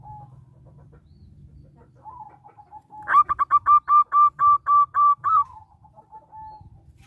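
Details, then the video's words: Actively singing local zebra dove, a lure to set other zebra doves singing: about ten loud, regular staccato coos in under three seconds, with softer coos before and after and a low hum underneath. "Perkutut lokal gacor suara menghipnotis burungmu"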